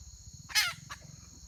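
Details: Red junglefowl hen, recorded 31 May 2023, gives one loud harsh squawking note followed by a fainter short cluck, against a constant high-pitched whine and low droning hum.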